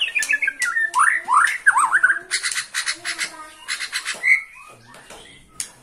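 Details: Bornean white-rumped shama singing excitedly from one spot at the sight of a rival: quick rising and falling whistled sweeps, looping slurs and harsh, rattling broadband bursts in rapid, irregular succession.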